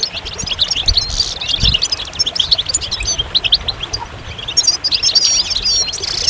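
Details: Goldfinch singing in a dense, high-pitched stream of twitters and tiny clicks, bursts of buzzy chatter near the start and again toward the end, with a quiet low background murmur.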